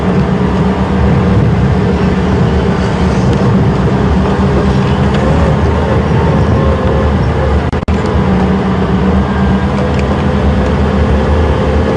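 A steady vehicle engine rumble fills the whole recording, with no animal calls heard.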